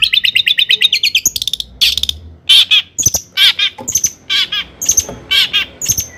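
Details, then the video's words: Long-tailed shrike in full, vigorous song, meant to make other shrikes agitated. A rapid rattling trill of even notes opens the phrase, followed by varied harsh chirps, squawks and higher thin accents. "kicau CENDET GACOR paling DI CARI cocok UNTUK PANCINGAN CENDET AGAR NAIK EMOSI"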